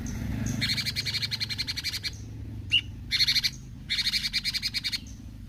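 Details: Caged bulbul singing in besetan style, with bursts of rapid, buzzy, high chattering notes in three runs separated by short pauses and one single sharp note between them, over a low background hum.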